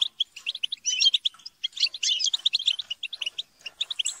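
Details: European goldfinches chattering and squabbling together to stimulate singing. Rapid, overlapping high chirps and trills form an almost unbroken jingling stream, with louder buzzy passages.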